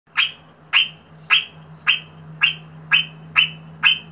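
A rosella gives eight sharp, bright notes, about two per second, each a quick high chip, over a faint low steady hum.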